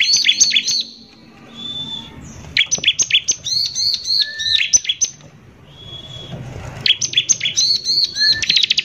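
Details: Bar-winged prinia sings loudly in the harsh 'nembak kasar' manner meant to provoke other prinias. Dense high chattering volleys, thin level whistles between them, and an accelerating buzzy trill at the end.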